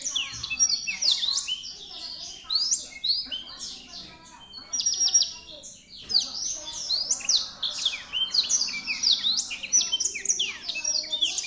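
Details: A black-throated canary (Crithagra atrogularis) sings a fast, unbroken stream of high twittering notes, sweet trills and sliding chirps, with a brief pause near the middle.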